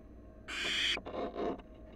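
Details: A wild barn owl lets out one loud, raspy hiss lasting about half a second, followed by two softer, breathy rasps, against a low steady hum.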